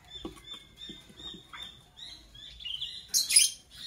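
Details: Fischer's lovebirds, a parblue violet and a pastel green opaline, chirping in the morning: thin high chirps, then a burst of shrill squeaky notes near the end, over soft low tapping and clicks.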